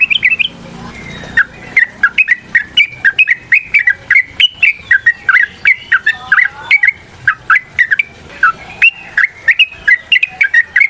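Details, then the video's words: Fighting song of a yellow-vented bulbul, used as a lure to get other birds singing: a long, fast run of liquid whistled notes rising and falling with hardly a break, over faint background hiss. "TRUCUKAN GACOR TARUNG ROPEL PANJANG Pancingan trucukan Agar Bunyi"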